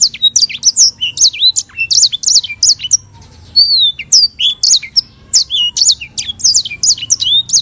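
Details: White-rumped seedeater, known locally as sanger bird and native to Africa, singing continuous rapid song of sharp high chirps and sweeping whistled notes, dense trills with brief pauses near three and five seconds; faint low hum beneath.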